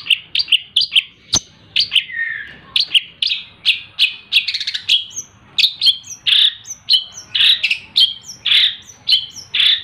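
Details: Captive, hand-raised long-tailed shrike fed insects morning and evening sings a steady 'tembak rapat' string of high chirps, repeated roughly twice a second, mixed with buzzy and whistled phrases throughout.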